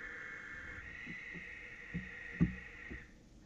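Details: Barn owls agitated and screaming on a nest box ledge at night, 16 January 2018 at 20:48; a steady, hissing screech holds for about three seconds, then stops, with faint low knocks and thumps beneath.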